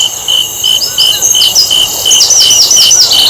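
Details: Asian brown flycatcher singing to provoke other birds into song: quick, high, downslurred chirps in short bursts, with a steady shrill insect drone throughout.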